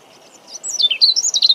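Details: European robin (Erithacus rubecula) in full song about 50 cm away, Deal, Kent, UK, 17 April 2021: a fast, very high jumble of sliding, liquid whistled notes rising and falling in quick succession.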